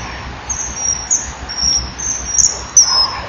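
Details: Male common kingfisher calling as it lands on the rear perch at a nesting-wall camera, 21 January 2012, 10:16; a female arrives later. Thin, very high whistled notes repeat about every half second over a low hiss.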